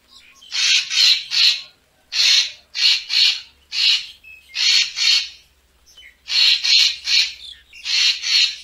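Racket-tailed treepie giving harsh, raspy, high-pitched notes in quick clusters of two or three, repeated with short pauses between bursts.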